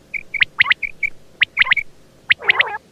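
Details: Quail giving quick clusters of sharp, high chirps and short flat whistles, ending with a brief rougher burst.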